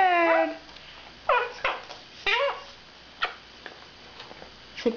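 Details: Male quaker parrot, five years old, babbling in a spare cage: one loud harmonic squawk opening the clip, then scattered shorter raspy syllables with quiet pauses indoors.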